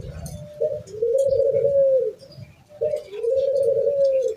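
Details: Zebra dove of the Bangkok type, a house-kept bird, calling despite strong wind: two long, smooth mid-pitched coo phrases, each opened by a short note, with low wind rumble throughout.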